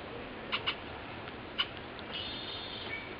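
Red-winged blackbird giving short, sharp chek notes, a quick pair followed by a single note a second later, over a steady hiss of background noise.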